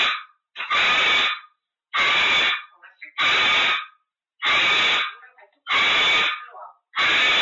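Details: A pet parrot gives loud, harsh, ringing screeches, each under a second long, repeated steadily about every second and a half, with short quiet gaps between.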